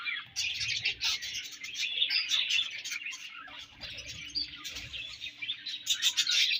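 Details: Budgerigars feeding and exchanging food, giving dense overlapping chirps and warbles, high and scratchy, chattering almost continuously with frequent short bursts; a faint steady low hum runs underneath.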